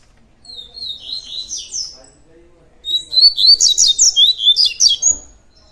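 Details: A double-collared seedeater gives its tui tui song. A first phrase of sliding high whistles is followed by a louder, faster string of bright, evenly repeated ringing notes.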